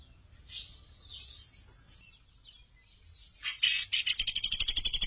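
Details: Clear, lively master recording of a Sunda pygmy woodpecker for training songbirds: soft, scattered high notes give way to a loud, fast, buzzy trill that keeps going to the end.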